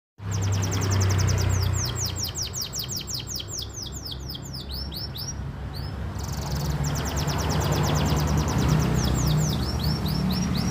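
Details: Canary singing in a contest ring, giving fast runs of thin, high, downward-sweeping whistled notes repeated in trills, with a short break midway, over a loud steady low rumble of background noise.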